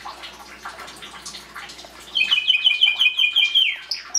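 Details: Belgian canary singing to encourage chicks in the 2016 breeding season; faint scattered chirps, then a loud high trilled phrase of rapid repeated notes from about two seconds on, ending in a brief rising note.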